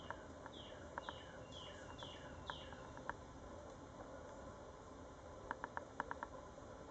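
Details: A migrant wood thrush, one of four, at Pasco Palms Park, Holiday, Florida, on 22 April 2014 gives sharp clicking pit notes in quick bursts of two to four. Faint descending whistled slurs come from another bird over a steady hiss.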